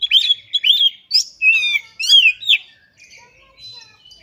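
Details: Kacer, the Oriental magpie-robin, in full song while displaying (ngobra) and delivering its mimicked repertoire (isian): rapid bright whistles, slurred upward and downward sweeps and buzzy notes, fading to soft warbling at the end.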